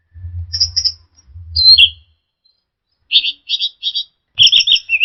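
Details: Orange-headed thrush singing, used to train caged birds: short high chattered notes, a downslurred whistle, then a run of four quick rattling phrases and a final burst of squeaky varied notes, over dull low thuds.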